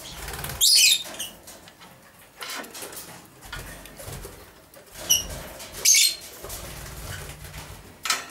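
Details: Pair of young male masked lovebirds, dominant edged blue and dominant edged D blue, aged seven to eight months, moulting and over-preening each other; sharp piercing chirp bursts sound twice, five seconds apart, with soft squeaks and rustling between.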